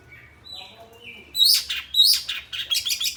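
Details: Oriental magpie-robin (kacer) gives soft drawn-out whistles, then loud harsh rasping bursts and rapid chattering notes; faint low hum in the background.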